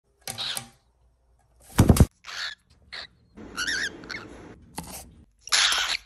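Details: A pet cockatiel gives harsh, screechy "AAAA" bursts and a quick warbling chirp indoors, recorded September–December 2021.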